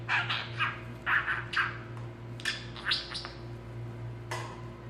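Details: Talking male budgerigar kept as a pet: short, scratchy, voice-like bursts of chatter in quick succession, quieter toward the end, over a constant low hum indoors.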